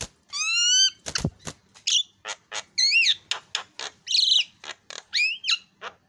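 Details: Javan myna song: a clear rising whistle at the start, then a busy mix of sharp clicks, bent whistled notes and raspy squawks delivered irregularly.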